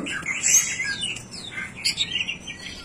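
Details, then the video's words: Blorok white-rumped shama, described as unique and rare, singing vigorously: a fast, busy run of varied high chirps and whistled phrases, some sweeping downward, with brief dips between bursts. "Murai batu blorok unik langka gacooor nembak"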